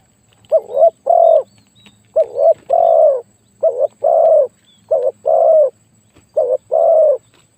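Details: Loud-voiced spotted dove kept as a decoy repeats double coos: a brief hiccuping note, then a longer, full croo. Five such pairs come in a steady rhythm against a quiet background.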